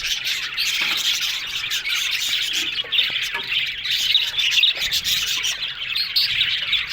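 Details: Many budgies in an aviary chirping and squawking over one another, a thick, unbroken twittering chorus with occasional sharper notes standing out.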